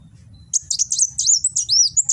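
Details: Caged sunbird (kolibri wulung) in Gresik, East Java, recorded on an Android phone, singing in the 'nembak' style: rapid high, thin chirps and sliding whistled notes in a continuous burst after half a second of quiet, with low hum beneath.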